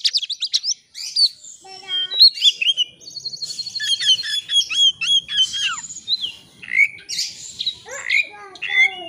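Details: White-rumped shama singing continuously to lure a rival into song: rapid tumbling whistles, descending slurred notes and trilled passages with almost no pause.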